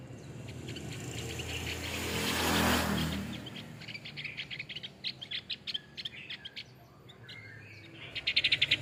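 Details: Male Javan grey-throated white-eye, a Java-endemic montane forest bird, singing a fast run of short high chirps, about four per second, after a burst of broad rushing noise.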